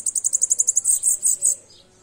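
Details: Bananaquit singing: a rapid series of very high, thin buzzy notes around the top of its range, about fourteen pulses in a second and a half, slowing into longer sizzling notes before fading.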